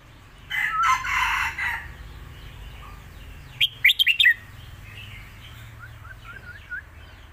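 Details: Red-whiskered bulbul kept for competition gives a master song, alternating with the lak wai style, for teaching young birds. A rough, crowing burst from another bird comes first, then a quick chirpy phrase and faint trailing notes.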